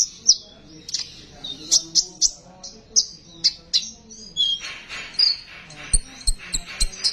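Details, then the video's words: Sunbird song used as a lure to stimulate untrained sunbirds to sing: rapid series of sharp, high chirps and short twittering notes repeated several times per second, with louder clicky bursts near the end. "Besetan burung konin,,cocok buat pancingan burung konin bahan agar mau bunyi"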